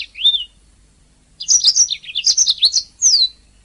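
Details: Canary song recorded as master material to teach singing canaries: a single whistled note, a pause, then a quick run of bright chirps and descending slurred whistles.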